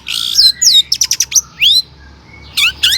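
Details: Long-tailed shrike in full song, used as a lure to make other shrikes sing: buzzy trills, a quick burst of clipped chirps, then a swooping whistle and a pause before more notes.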